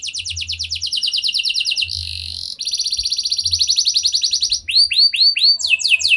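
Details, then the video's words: Prolific canary song meant to trigger other canaries into singing: long fast rolling trills, a brief harsh buzzy passage, then more rapid trills and sharp down-slurred whistled notes at a quick steady pace. "Pancingan Ampuh Banyak Burung Kenari Cepat Bunyi Gacor Dengan Suara Kenari Gacor Lagu Unik Ini!"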